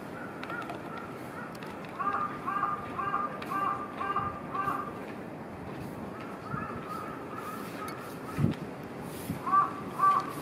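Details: At a shrine's main hall in Yokohama, where a crow perched inside, a crow gives a run of hoarse, evenly spaced caws, then a few more after a pause, over a steady rush of wind.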